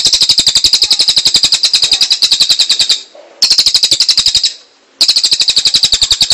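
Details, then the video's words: Cililin song: a fast rattling trill of sharp high pulses, delivered in three bursts separated by brief silent gaps. "SUARA BURUNG - Masteran Terbaik Cililin"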